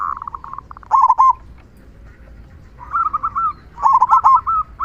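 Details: Local zebra dove, a lively caged singer, giving the loud "kung" song used to prompt other doves to sing: rolling bursts of stuttered cooing notes near one pitch, in two phrases separated by a short pause.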